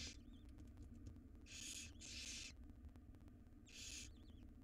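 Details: Wild barn owl nestlings in a monitored nest box beg as their mother feeds them a jird; four harsh, broadband hissing bursts about half a second each, spaced irregularly over steady low hum.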